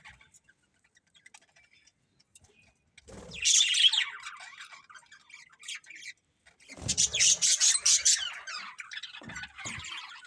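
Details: Several budgerigars chirping in two bursts after about three seconds of near silence, a dense mix of bright, squawky chirps and fast warbling notes, the second burst longer and louder.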